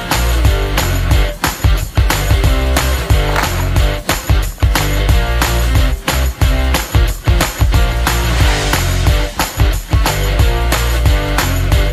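Loud, heavily beat-driven music with bass and guitar fills the whole recording, and no animal voice is heard.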